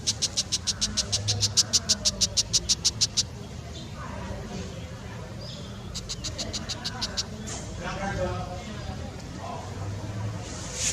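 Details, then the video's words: A Brown shrike gives harsh, scratchy chattering rattles of about five notes a second, in two bursts, over a low background rumble. "紅尾伯勞叫聲(The sound of Brown Shrike )"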